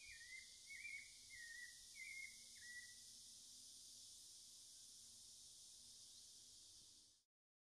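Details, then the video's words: A Cocoa Thrush (Turdus fumigatus) in the Amazon forest sings five short, clear whistled phrases, each slurring up and down, about one every half second, over a steady high insect hiss. "O canto do Sabiá-da-mata / The song of the Cocoa Thrush"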